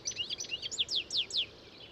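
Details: European goldfinch: brief burst of song with buzzy, liquid twitters followed by three loud, clear downward-slurred notes in quick succession, then fading to quiet.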